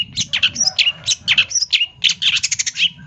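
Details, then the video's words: Champion long-tailed shrike singing a song full of filler phrases: rapid, varied chattering of short sharp notes and whistled chips, about a dozen in three seconds, with low rumbling noise behind. "SUARA BURUNG CENDET FULL ISIAN CENDET JUARA"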